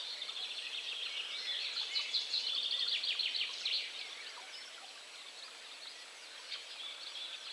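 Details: Red-backed shrike at Strobów, Poland, on 4 June 2017, giving a quick, scratchy run of high chirps and chattering notes, busiest in the middle, over a steady hiss of outdoor noise.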